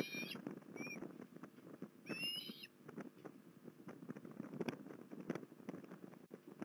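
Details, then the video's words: An osprey at Port Lincoln on 21 December 2020 gives a short whistled note, a brief chirp, then a longer clear yelp near two seconds, after which only crackling background noise remains. "Port Lincoln Osprey"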